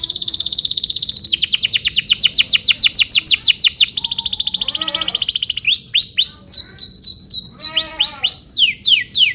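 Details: Canary singing a long tutor song used to train young canaries: rapid trills of repeated high syllables, then a tour of falling downward sweeps and a low rolling phrase, repeated about three times a second.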